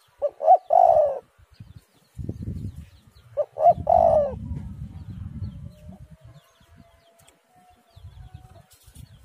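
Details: Two cooing phrases from a spotted dove, each made of two quick notes and a longer sliding coo. Low rumbling noise follows each phrase, and a faint thin whistle is heard between them.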